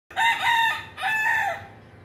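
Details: Domestic chickens on a home chicken farm, with rooster and chicks: two loud, harmonic, drawn-out crowing phrases, each wavering slightly in pitch and fading at the end, against a low steady background hum.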